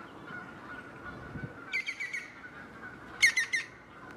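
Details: A Short-toed Treecreeper (Certhia brachydactyla megarhynchos) at Rouge-Cloître, Brussels, Belgium, in February 2016, gives two quick bursts of three or four sharp, high 'tüt' notes about a second and a half apart, over a faint steady hum.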